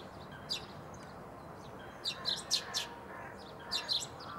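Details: Eurasian tree sparrow at Bundek, Zagreb, Croatia, 9 March 2015: clear high chirps, a single one early, then a quick run of four, then a pair near the end, over faint background hum.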